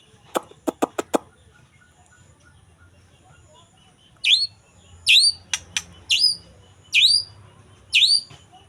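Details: Young wild white-rumped shama from the forest: a quick series of dry clicks, a pause, then repeated sharp high downslurred notes about every second mixed with more clicks.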